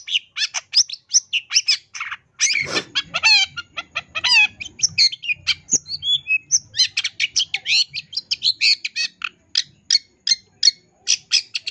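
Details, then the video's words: Long-tailed shrike, recorded for training caged birds, in a sustained 'isian tambakan' filled song: nonstop high, scratchy chips and trills, a harsh rattling burst and stacked sliding notes, with a faint low hum. "MASTERAN CENDET GACOR FULL ISIAN TAMBAKAN"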